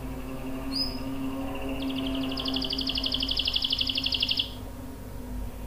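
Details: Canary singing a long roll used to prompt and tutor other canaries. A quieter high buzzy trill swells into rapid pulsed notes, then fades, over steady low humming background noise.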